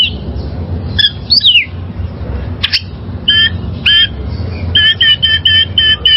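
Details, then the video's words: Wild oriental magpie-robin singing, used as a master for caged birds: scattered whistled and falling notes, then a quick series of short ringing double-toned notes near the end, with low hum throughout. "Masteran Suara Burung Kacer Liyar"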